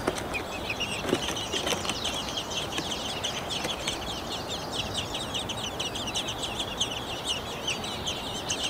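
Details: Fieldfare (Turdus pilaris) at a nest with chicks, which both parents feed mainly earthworms, in Kalinovsky forest park, Yekaterinburg. A steady, dense stream of high, squeaky chirps, several per second, plays over a soft low rumble.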